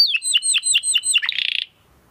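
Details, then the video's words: Domestic canary master song for competition-bird training: six evenly spaced descending slurred whistles, then a dense buzzy rattle lasting about half a second before silence. "Kenari Gacor Suara Kristal Buat Masteran Burung Gantangan"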